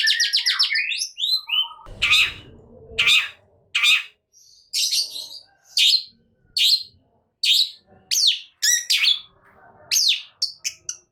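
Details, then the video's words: Long-tailed shrike in excited gacor nembak song: an opening trill of rapid chirps, then spaced harsh squawks and sharp sweeping notes about once a second, with a low rumble early on. "Cendet Malas Bunyi Seketika Naik Emosi Gacor Nembak"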